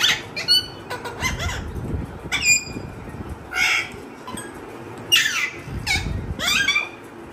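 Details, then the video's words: Talkative parrot producing a busy series of squawks, clicks and screechy syllables, some rising, some falling, roughly one every second, with low rumbling background noise. "Raw parrot talking video talking parrot !!"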